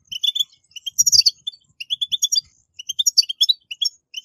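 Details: European goldfinch song played to encourage captive goldfinches to sing: quick bright twittering of short chirps and liquid notes in irregular bursts, with a few clicks underneath.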